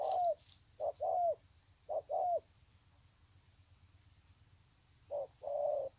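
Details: Spotted dove, Sê San, Vietnam, February 2020, cooing to greet another bird: several short-long coo pairs, a long silent gap, then one more pair; faint high insect buzz runs beneath.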